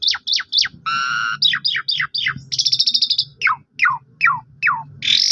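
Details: Asian pied starling song used as a lure to provoke a silent bird into singing: sharp downslurred whistles in quick series, buzzy harmonic notes and a rapid rattling trill, over a faint low hum.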